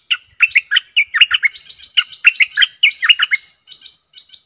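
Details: Decoy song of a Stripe-throated bulbul for attracting aggressive wild birds: a steady stream of bright, liquid chirps and gurgles, ending in a few softer high notes.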